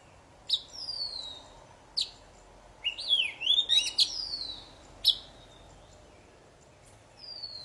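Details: Poci singing energetically, the kind of song used to start silent birds singing again: spaced sharp downslurred whistles with a twisting warbled phrase in the middle, separated by short pauses.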